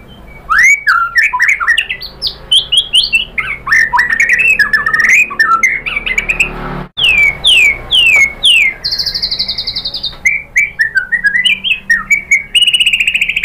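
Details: Female white-rumped shama calling a male, played as a lure to make males sing: a rapid, dense run of rising whistled slurs and chattering notes, broken by a short buzzy high trill midway.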